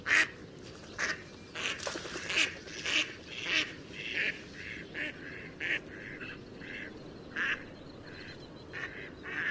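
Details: Duckling in the pond calling with bright, buzzy quacks in an irregular run, some louder and some softer, over a steady low hiss.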